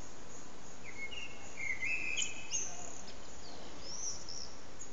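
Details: A distant common blackbird (Turdus merula) sings its evening song at sunset, a short mellow fluted phrase ending in thin, high twittering, half-buried under a steady rushing hiss.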